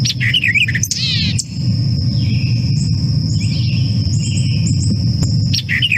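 White-eyed Vireo giving a remixed 'quick-with-the-beer-chick' song: emphatic, nasal chips and slurs with extra notes, over a steady high insect-like whine and low rumble.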